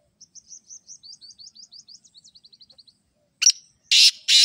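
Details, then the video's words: A black francolin bursts in with loud, harsh, scratchy notes near the end. Before that, a long run of thin, high twittering from a small bird fills the first three seconds. "Kale teetar ki aisi Awaaz"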